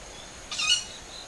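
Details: Owl heard from a home garden in early summer, 20 July around 19:40, one of roughly five birds overhead; one loud, brief, piercing screech with a hoarse, harmonic-rich texture.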